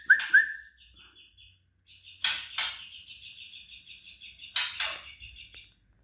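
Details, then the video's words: White-rumped shama in competition, singing its trotol style: two sharp rising whistles, then long runs of fast identical short notes repeated evenly, broken by loud harsh bursts of noise. "TROTOL MURAI LOMBA"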